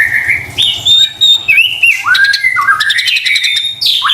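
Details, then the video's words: White-rumped shama song used as a lure for stressed, quiet shamas: sustained whistled notes sliding between pitches, followed by a buzzy rapid stutter and a final downward slur. "PANCINGAN murai batu STRES dan MALAS BUNYI seketika LANGSUNG nyaut dan GACOR dengar suara INI"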